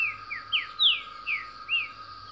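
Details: A green-winged saltator sings in the wild, a very fast, quick run of about six clear, downslurred whistles, some rising first, over a steady high insect-like hum.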